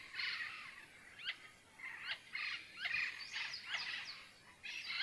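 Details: Andean parrots at dawn in a nature reserve: a distant flock giving repeated harsh, squawking screeches, overlapping in bursts over a steady hiss of background noise.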